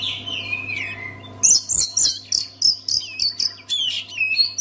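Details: Oriental magpie-robin song meant to get a quiet kacer singing again. It opens with soft, wavering low whistles, then breaks into a rapid series of piercing, clipped chirps and trills over a faint steady hum.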